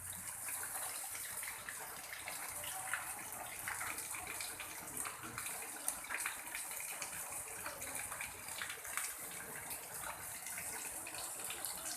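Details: Steady rushing, water-like hiss fills the recording with no clear animal calls.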